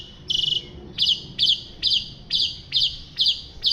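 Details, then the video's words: White-rumped shama (murai batu) singing actively, used as a master recording for training other songbirds: a short rapid rattle, then a steady series of high buzzy notes about twice a second, with a faint low background hum. "Masteran murai jalak suren gacor"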